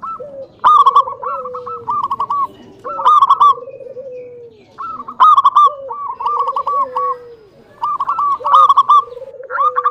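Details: Lure song of a local zebra dove, meant to make other doves answer and sing. Rapid stuttering coo phrases repeat about four times, each followed by a lower, falling, drawn-out coo.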